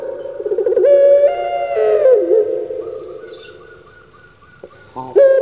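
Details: Puter pelung turtle dove kept in Java, Indonesia, sounding a burbling coo that rises into a long droning note, fades, then restarts with a sudden jump.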